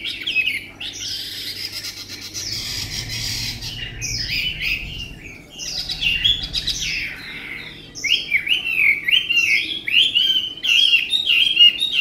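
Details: Tame caged Chinese hwamei singing a rich, varied song of loud whistled and slurred phrases, some buzzy and harsh, in bursts with short pauses, then a run of quick rising-falling warbled notes.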